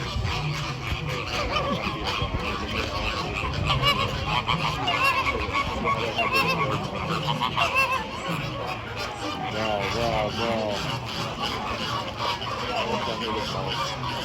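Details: Flamingo flock calling steadily, a dense chatter of nasal goose-like honks and rapid gabbling notes from many birds, lasting throughout, with faint human voices behind.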